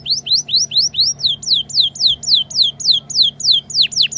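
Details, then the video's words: Ngriwik-style canary song used to teach young canaries: loud, pure whistled notes repeated rhythmically, about three a second. Early notes slide upward, and later ones swoop sharply downward. Quiet background hum. "Masteran Kenari Paud Belajar Bunyi Ngriwik, Pancingan Kenari Muda Agar Bunyi Gacor"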